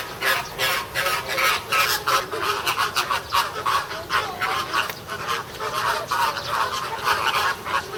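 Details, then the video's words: American flamingos squabbling at Ueno Zoo, Japan, June 2016: loud, rapid, goose-like honking from many birds, nearly three calls a second, harsh and nasal, with louder surges throughout. "言い争う(？)フラミンゴ（上野動物園）Quarrel American Flamingo"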